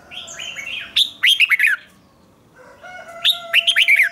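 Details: Red-whiskered bulbul in morning song training, pouring out lively warbled phrases of rising and falling notes, pausing, then resuming with bright chirpy notes over a steady faint tone.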